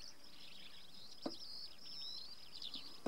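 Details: An adult male Little Bustard (Tetrax tetrax) in La Rioja, Spain, in June 2015 gives two short, dry snort-like bursts nearly two seconds apart. A steady high insect buzz and faint chirping birds run throughout.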